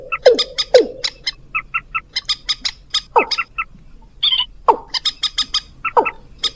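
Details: Rail and watercock lure sounds played to bring birds close: deep descending swoops recur every second or so, separated by crisp clicking bursts and short high paired chirps, with a brief rasping note midway.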